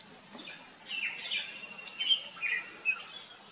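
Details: Three restless young common mynas peer from their nest hole in an old coconut trunk, coastal Odisha, on a sunny day while a parent feeds them; scratchy slurred calls come in short bursts over a constant shrill insect hum.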